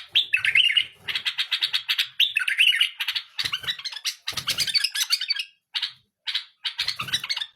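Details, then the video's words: Domestic bulbul singing steadily: dense, repeated chirping and warbled phrases in quick bursts, a few short gaps near the end, soft thumps underneath. "تغريد بلبل اليف فول | اجمل تغريد بالابل"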